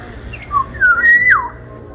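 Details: Sumbawa Black-naped Oriole, a big-bodied bird, sings one brief mellow whistled phrase: a low note, then a sliding whistle and a longer level tone that falls away sharply, over a faint low hum.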